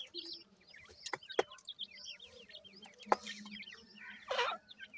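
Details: Young captive Irani teetar francolins at 26 days old, three females and two males, giving scattered high chirps that slur downward, mixed with sharp knocking clicks and a brief louder rustling burst near the end.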